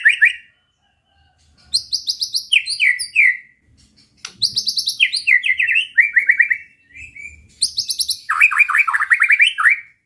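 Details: White-rumped shama song to excite rival birds: phrases of loud, varied whistles and rapid slurred note series, repeated after short gaps of silence.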